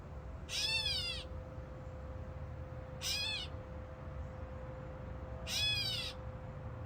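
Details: Catbird in fig trees: three loud, wavering cat-like wails with rich harmonics, the first and last longer, spaced about two and a half seconds apart over a faint constant hum.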